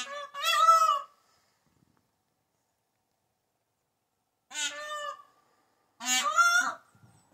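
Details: Peacock calling three times: loud, nasal, harmonic-rich honks of under a second each, the first and last strongest, separated by gaps of several seconds with silence between.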